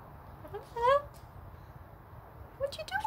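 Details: A female cockatoo named Princess talks in a raspy, speech-like voice, apparently saying her name: a short phrase with a rising then falling tone, then another brief utterance near the end. The room is otherwise quiet.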